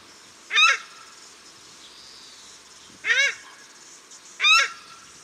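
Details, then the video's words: Paradise shelduck pair at Cornwall Park in Auckland, New Zealand, giving three loud, harsh, honking calls spaced by quiet pauses of one to two and a half seconds. "Paradise Shelduck Calls at Cornwall Park Auckland，New Zealand"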